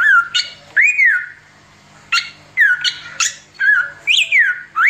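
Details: Oriental magpie-robin singing nonstop in the 'tembakan' style, a recording meant as a tutor for training other birds: loud whistled phrases sliding down then rising, broken by brief harsh bursts, with pauses between phrases.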